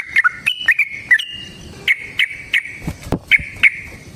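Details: Yellow-vented bulbul lure song of the fighting kind: spaced single whistled notes at an even pitch, repeated roughly every third of a second after a quicker opening run, with a faint low thump.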